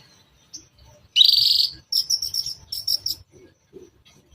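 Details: Long-tailed shrike lure song to draw other shrikes, in the toet toet style: a loud harsh buzzing burst, then a quick series of scratchy high chattering notes, over a quiet background.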